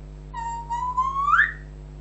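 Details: Whistle from a pet African grey parrot: a long, slowly rising tone that climbs steeply near its end to a louder high point, with a steady background hum.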